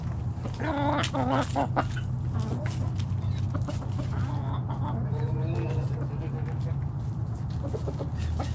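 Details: Domestic chickens of a backyard flock foraging in morning light; a burst of quavering, nasal clucks early on, then scattered softer clucks, with a constant low rumble underneath.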